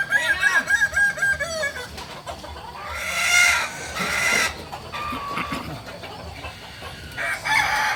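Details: Kokok Balenggek chickens at a crowing practice in Amko, Solok city: a wavering, stepped crow opens, followed by harsher overlapping crows and bursts of noisy background sound.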